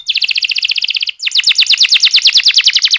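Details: Canary rolling song played as a lure so young canaries start singing: two loud rapid trills, the second faster and fuller, separated by a brief pause.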